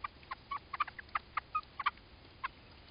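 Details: American robins calling during a crow's attack on their nest: a rapid series of short, sharp, clipped notes repeated irregularly over three seconds, some slightly higher and drawn out, with no other clear sounds.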